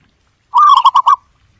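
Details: A zebra dove gives one soft, hollow cooing phrase: a drawn-out note followed by three quick, even pulses, all within about half a second.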